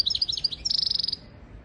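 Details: European goldfinch singing on a tutor track for goldfinches and canaries: a fast series of bright, liquid chirps about a dozen per second, running straight into a tight, buzzy high trill that fades out.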